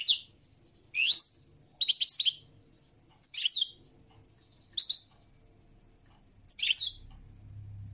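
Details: Goldfinch singing in brief sharp twittered phrases, about six bursts spaced one to two seconds apart, each a cluster of high liquid chirps; a low hum enters near the end.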